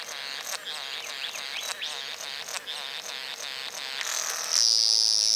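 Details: Satin bowerbird in courtship, uttering rapid, fairly regular buzzy rasps with brief squeaky notes, then a loud drawn-out high whine at the end.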